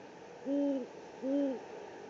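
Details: Great horned owl at the Presidio, San Francisco, 3 March 2019, via live camera: a pair of smooth, level hoots spaced under a second apart against a soft constant hiss.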